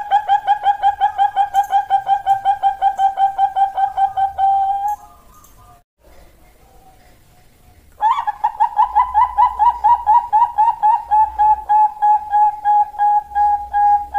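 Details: Zebra dove, Bangkok perkutut variety, giving a long run of rapid, evenly repeated soft coos for nearly five seconds. A brief gap follows, then a second rapid run that opens on a higher note and settles lower.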